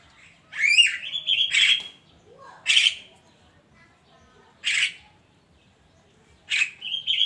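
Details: Javan myna singing in the morning: harsh broadband squawks mixed with whistled notes near mid pitch, bursts spaced irregularly about every one to two seconds, with quiet pauses between.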